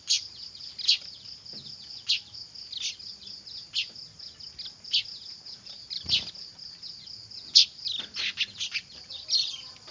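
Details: Noisy weaver chicks, a lure sound: high chirps repeated every second or so, becoming a busier chattering run near the end, over a constant shrill background hiss.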